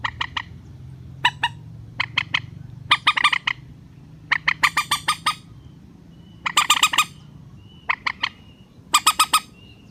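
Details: Rail calling in a relaxed style for use as a netting lure: choppy runs of harsh, buzzy squawks in bursts of varying length, with a low droning hum audible early on.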